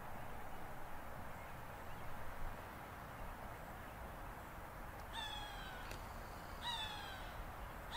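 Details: A hawk upset at buzzards moving into its area. After several seconds of only steady low rumble, two hoarse, falling screams arrive about 1.5 seconds apart, with the start of a third at the very end.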